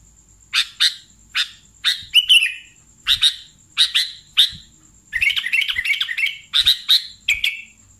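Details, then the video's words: Sooty-headed bulbul lure recording for trapping bulbuls: spaced double chips at first, then a quick rattling burst of chattered notes and a few trilled, falling phrases, with a faint high hum throughout. "SUARA BURUNG Kutilang Pikat"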